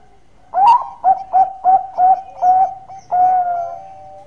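Zebra dove gives a soft, mellow cooing phrase: a rising opening note, five quick gurgling coos, then one long sustained final coo. A faint background hum.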